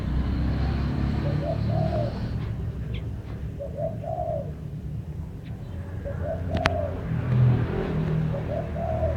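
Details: Singing bird repeats short, mellow, low-pitched cooing phrases about every two seconds over a steady low rumble of background noise, with one sharp click near the end.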